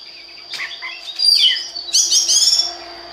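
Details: Oriental magpie-robin song used to stimulate other birds to sing: soft twittering notes building into a loud, dense, high-pitched warbled phrase before fading.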